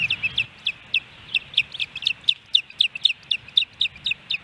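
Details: Osprey calls at a nest in Hellgate Canyon, Missoula, Montana, on July 13, 2018, a day with three fish deliveries; short, high, piercing chirps repeated rapidly, about four a second, in an uneven series.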